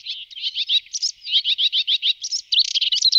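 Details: Melodious warbler (Hippolais polyglotta), song.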